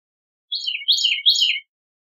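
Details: Bicknell's thrush giving three short, high descending phrases of thin, spiralling whistled notes, each slurring downward, in a clean recording with no background noise.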